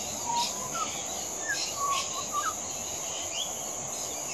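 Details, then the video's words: Adult Pied Butcherbird singing: a few soft, low, fluting whistled notes scattered across the phrase, over a steady high insect drone. "Pied Butcherbird Singing"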